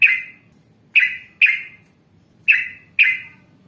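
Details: Yellow-vented bulbul in lively, vigorous voice: five loud, bright chirped notes, each sharply struck then fading, spaced unevenly about half a second to a second apart, over faint low background hum.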